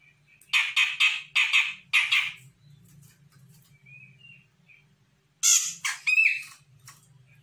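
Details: An untrained Sumatran grey-cheeked bulbul answers a lure call with a run of four rapid, rasping, broadband notes. After a pause with a soft whistle, it gives another loud cluster of harsh, chattering notes with a brief whistled inflection.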